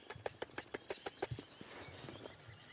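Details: A woodpecker in a tree at sunrise in Sabi Sand, South Africa, in June, tapping in quick, dry knocks, about six per second, then slowing and fading, with thin, high chirps from other small birds over it.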